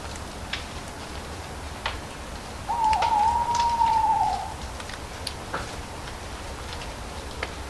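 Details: Single long owl hoot, held steady for nearly two seconds and fading slightly at the end. Sharp crackles of falling leaves and a faint low background hum run throughout.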